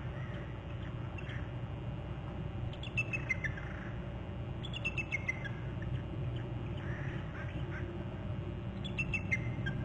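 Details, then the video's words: Eagle at its nest territory on Hornby Island, July 31, trilling before hopping to another branch: short bursts of thin, high, descending chittering notes every few seconds over a steady low hum. "more trills; eagle hops to another branch"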